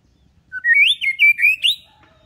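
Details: Calm white-rumped shama singing so that young birds learn its song: one continuous, loud, warbling whistled phrase of about five rising and falling notes, ending in a sharp upward flourish.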